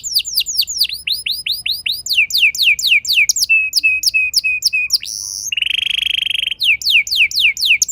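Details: Canary youngster singing to spur other canaries: swooping whistled notes, a run of short repeated chips, then a long even buzzing roll and more downslurred whistles.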